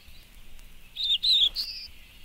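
A Black-throated Blue Warbler sings three husky, buzzy notes, the last drawn out and higher, over a steady background hiss.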